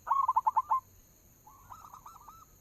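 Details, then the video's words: Lure song of a local zebra dove: six quick, loud, clipped cooing notes at the start, then a softer, rolling string of coos from a second, more distant dove. "suara pancingan perkutut lokal"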